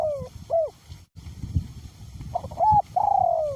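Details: Decoy spotted dove with a small-to-medium voice, calling in strong wind. The tail of one phrase, a descending drawl and hooked note, then a brief lull of wind noise before a new phrase of clipped rising notes and a long falling coo.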